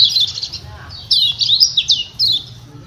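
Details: Lombok yellow white-eye (kecial kuning) calling 'ciak ciak' to trigger replies from other white-eyes: dense run of shrill, slurred chirps followed by rapid swooping notes in close succession, with a low background hum.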